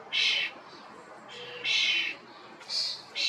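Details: Loud calls of a common starling (European starling): harsh, hissing, broadband bursts about half a second long, repeated roughly every second or so with short gaps.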